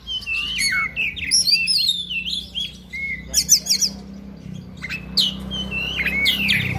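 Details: Oriental magpie-robin in fighting song, full of fill-in phrases: fluid whistled slurs, zigzagging high notes and fast chip bursts over a steady murmuring background rumble.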